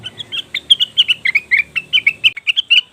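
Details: Leafbird (cucak wilis) lure call to attract wild birds: a fast chattering string of bright, slightly varied chirps at about six per second, with a faint low hum in the first two seconds.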